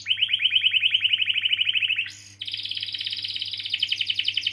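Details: Canary delivering long rolling song to stimulate young or silent canaries to sing: a rapid even trill of pulsed notes for two seconds, a short rasping break, then a higher, faster continuous roll.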